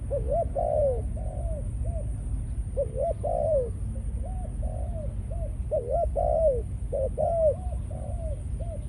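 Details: Steady series of mellow coo phrases, each short notes and a longer descending coo, from a captive male decoy spotted dove of a Malaysian line in breeding condition after ground-feeding sessions, with a constant low rumble.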